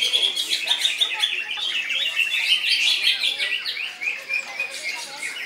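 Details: Loud, unbroken koncer-style song from a greater green leafbird: quick tumbling chirps and short slurred whistles repeated rapidly, a busy, almost continuous warble.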